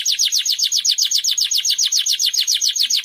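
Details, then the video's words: A Timbrado canary recorded for training canaries gives a fast, steady rolling trill of high, downward-sweeping notes, about ten a second, bright and metallic, with no other sounds heard. "best timbrado canary singing"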